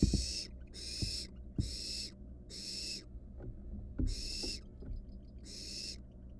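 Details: Wild barn owl nestling inside a nest box with a camera, swallowing a rat. It gives loud, rasping hisses in regular half-second bursts, with soft knocks and shuffling in the gaps.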